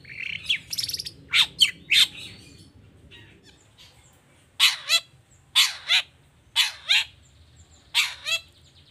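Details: Long-tailed shrike in toet toet song, used to coax other shrikes to sing: opening scratchy chatter, then loud harsh paired notes repeated roughly once a second.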